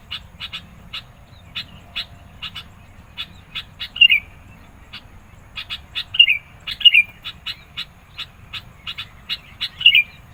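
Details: Lively, persistent sooty-headed bulbul song used to pressure opponents and attract birds: continuous crisp chip notes with four short looping whistled phrases scattered across the second half.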